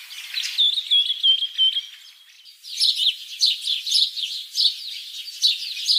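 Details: Common myna calls: a string of clear, wavering whistled notes, then a burst of busy, scratchy chirps repeated in quick succession.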